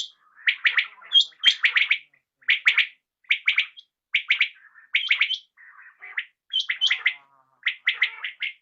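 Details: Common quail calling at dusk: repeated crisp triplet notes come in an almost continuous series, mixed with thin higher whistled notes from another caller and a few faint, softer phrases.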